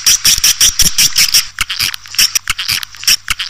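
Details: Swiftlet lure call, 'Raja Liur Emas' style, meant to draw edible-nest swiftlets into a house: fast, uneven clicking chirps in short volleys, with a faint high whistle recurring through the sequence.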